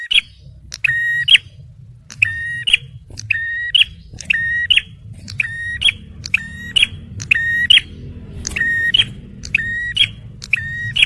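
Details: Male bar-winged prinia, a recording for luring and prompting stressed birds, delivering a long run of about a dozen buzzy, harmonic phrases, each a flat nasal note plus high chip, roughly one per second over steady low rumble.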